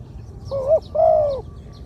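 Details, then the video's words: Single phrase from a medium-voiced spotted dove in the two-kuk 'ku-ang' style: a short wavering coo, then a longer, even coo that drops slightly at its end. "2 กุก คูอ่าง คารม เสียงกลาง ตัวนี้น่าเก็บทำนกต่อครับ นกเขาใหญ่ต่อดิน เสียงนกเขาใหญ่"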